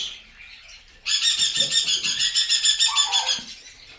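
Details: Hand-fed baby blue-and-gold macaws, two chicks at a bird store in Orange City, Florida, with food placed in the crop: after a quiet second, a loud buzzy pulsing squawk repeated rapidly for over two seconds, then soft indoor noises.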